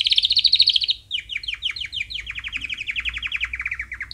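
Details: Canary song used as training for chicks: a loud, fast trilled roll at first, then rapid descending chirps and long runs of quick repeated notes in varied tours, low hum beneath.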